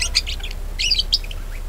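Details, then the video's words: Budgerigar chatter played to lure other birds into singing: quick bright chirps and short squeaky notes in two bursts, with a faint low hum beneath. "PANCINGAN PARKIT AGAR GACOR"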